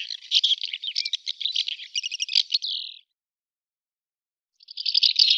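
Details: Barn swallow song: a fast chattering, twittering warble of buzzy notes ending in a drawn-out grating trill, then a pause of about one and a half seconds before the twittering resumes; clean recording with no other sounds.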